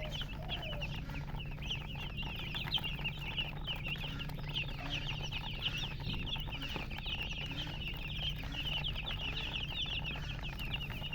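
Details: Dense chorus of chicken chicks, thin shrill peeps tumbling over one another without pause, a low electrical-like hum throughout.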